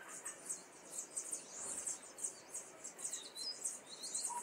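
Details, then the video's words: Young common starlings kept in a cage in Liepāja, Latvia, in May 2024: dense high chattering and squeaky chirps run continuously, with a short whistled note near the end and faint city noise behind. "MĀJAS STRAZDI / Sturnus vulgaris / būrī. Jaunie putni."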